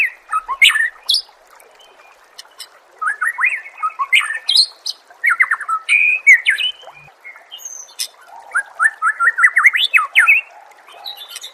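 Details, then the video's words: Murai songbird used for training: a short loud opening, a pause, then long runs of quick rising whistles and chattering notes, ending in a rapid rising series. "Masteran murai AMPUH yang di pakai semua burung juara PASTI CEPAT GACOR DAN NGEPLONG"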